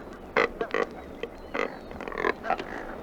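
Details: Double-crested Cormorant giving rough, guttural grunting bursts, a cluster of short harsh notes near the start, then scattered croaks through the rest, with thin whistled calls of other birds faintly behind.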